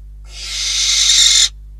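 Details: Barn owls at a nest in Catalonia on a live cam, 12 December 2021, during prey deliveries of a bird then a rodent: one harsh, hissing screech of about 1.2 seconds, rough and breathy, swelling slightly before stopping abruptly.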